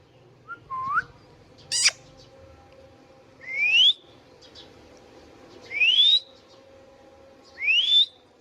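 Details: Pet Indian ringneck parakeet's natural sounds: a low rising whistle, a harsh squawk, then three clear steeply rising whistles spaced about two seconds apart.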